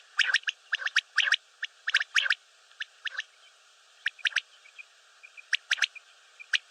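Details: Common quail (batair) calls: rapid groups of two or three sharp, crisp pips, irregularly spaced and sometimes overlapping, with faint thin chirps between them.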